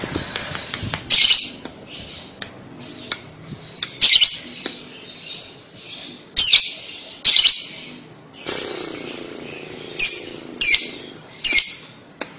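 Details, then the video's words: Lovebird calling played to make young lovebirds sing back. Sharp, piercing squawks are spaced irregularly, one to three seconds apart, with a hissing chattery passage in the middle and faint ticks between. "pasti lovebird paud akan nyaut dengar kekek an labet ini"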